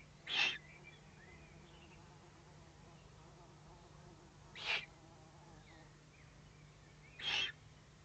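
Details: Threatened owlets issuing warnings at 20:42 on 22 May 2015; three short, coarse hissing bursts at uneven intervals of about two to four seconds, with faint distant chirps and a low background hum.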